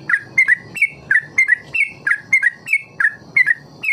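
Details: Trucuk, or yellow-vented bulbul, singing in the ropel style, recorded to lure young birds into learning it. Quick runs of paired whistled chirps, each slurring down and up, repeat roughly three times a second over faint low rumble.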